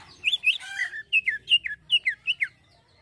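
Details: Greater green leafbird performing 'isian halus' song: a short sequence of clear, downslurred and upslurred whistles, one longer rolling phrase, then evenly spaced bright notes.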